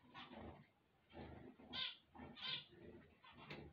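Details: Zebra finches (Taeniopygia guttata) singing on waking, giving nasal, buzzy notes in short bursts about every half second, with a few brighter, higher tones among them.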